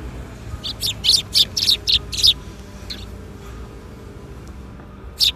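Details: A group of sparrows arriving to be fed at a Tenmangu shrine on a spring afternoon, April 13, 2021. About eight sharp, high chirps come in a quick, uneven run, then a pause and one more chirp.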